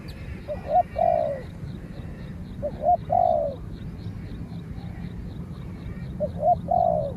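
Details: A spotted dove on a training outing duels a wild dove that answers from afar and is finally chased off. Three phrases of short paired notes and a long descending coo come every couple of seconds. A faint regular high ticking runs behind them.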